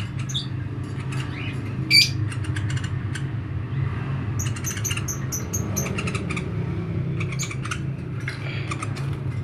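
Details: A woodpecker gives sharp, high ticking and squeaky notes in quick clusters over a steady low traffic rumble; the call is used as a training tutor ("master") for magpie robins.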